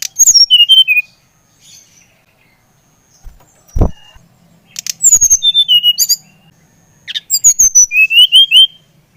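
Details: Brown-chested jungle flycatcher of the Bali type, song played to stimulate another bird to sing: three quick phrases of high whistled notes, each a rapid run of about ten notes, separated by pauses and a soft thump.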